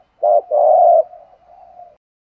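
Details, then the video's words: Single phrase of spotted dove 'thúc gù' cooing in the thổ đồng style, used for training doves. A short low note, then a longer steady coo that trails off into a soft fading tail. "tiếng chim cu gáy giọng thổ đồng thúc gù bài bản rất chuẩn"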